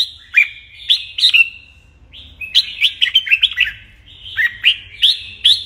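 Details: Red-whiskered bulbul singing a morning training song meant to spur young birds into fighting song. Clusters of quick fluty slurred notes, a brief lull near the middle, then a dense run of rising and falling whistles.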